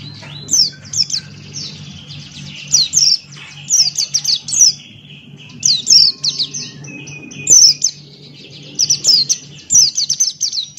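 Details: Buxton's white-eye, a male, in lively ngalas-style song: short bursts of very high, sharp descending whistles, grouped in clusters of three to five and repeated every second or two, with a low constant hum beneath.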